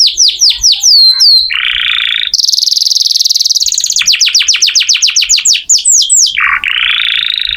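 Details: Canary in bold song meant as master audio for oriental magpie-robins: swooping whistles, a buzzy mid-pitched stretch, a very high rattling trill, rapid descending sweeps, then another buzz.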